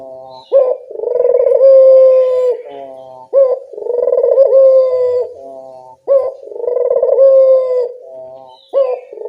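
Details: Lure recording of a local collared dove: a regular series of low, mellow coos, a sharp lift at each start, then a sustained droning note, about three phrases across nine seconds against a quiet background.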